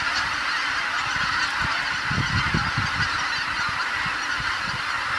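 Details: Returning geese at Kabukuri-numa marsh, Japan, after sunset. A thick, even chorus of countless honking voices, with low rumbling pulses in the middle and an abrupt end.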